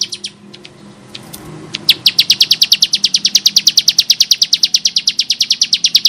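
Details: Bar-winged prinia (ciblek sawah) in full, harsh-voiced song, recorded as tutor material. A few scattered high notes lead into a fast, even train of sharp metallic chips, about eight a second, continuing to the end.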